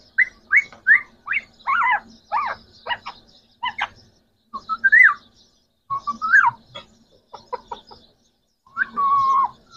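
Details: Three green talking parrots from Pakistan produce clipped, jumbled, speech-like syllables and rising squawks in uneven bursts with brief silences, ending on a longer drawn-out note.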